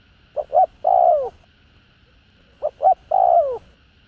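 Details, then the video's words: Spotted dove cooing to stir up decoy birds: two phrases about two and a half seconds apart, each a quick pair of soft notes followed by a loud drawn-out coo falling in pitch. "Cu Gáy Giọng Hạp BổI ĐỦ BÀI [ GÁY GỌI,THÚC,GÙ ]"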